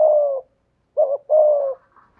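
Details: Spotted dove kept as a decoy bird, its voice of the 'thổ' style, gives a long, low, slightly falling coo, a pause, then a quick double note and another drawn-out falling coo; faint soft notes trail off at the end.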